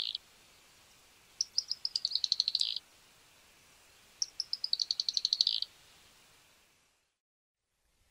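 Fork-tailed Flycatcher giving two high, sputtering bursts of dry, buzzy ticking notes that speed into a rapid chatter, each lasting about a second and a half.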